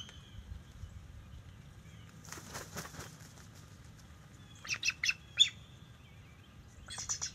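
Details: Bald eagle alarm calling on October 10, 2023, while a young, nearly white-headed male about five years old visits the nest territory: broadband rustles, then clusters of shrill, rapid chirped notes around five seconds and again at the end.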